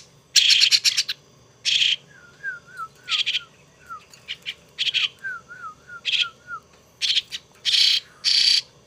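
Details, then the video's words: A young pet starling, being tamed and hand-raised, gives loud, harsh rasping bursts, about a dozen in nine seconds, between soft, short whistled notes that slur downward. "Sáo đá"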